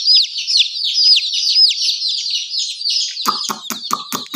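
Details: Chicken chicks chirping together, high descending peeps overlapping in a continuous chorus; in the last second a run of sharp tapping knocks joins in.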